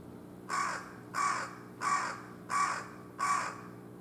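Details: Wild carrion crows, two rival birds perched on a utility pole by a factory on 14 February at dusk, calling; five short, hoarse, raspy caws at a steady beat of about one every 0.7 seconds, with a low background hum.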